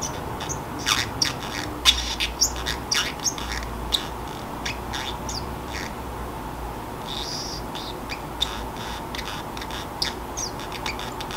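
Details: Sleepy pet Pacific parrotlet talking to itself in a quiet room, a monologue it follows with its own laughter: dense run of brief raspy chips and squeaky syllables, busiest early then thinning, with a constant faint hum behind.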